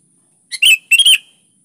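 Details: Sooty-headed bulbul (kutilang) in energetic song used as a lure for reluctant birds: a brief chip followed by two fast fluty, bubbling notes ending in a slight trailing whistle.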